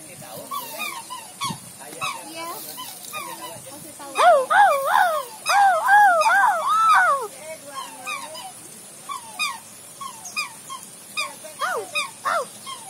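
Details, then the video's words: Several geese honk: a loud burst of nasal calls midway, with scattered quieter honks before and after. "Sound of nature by goose"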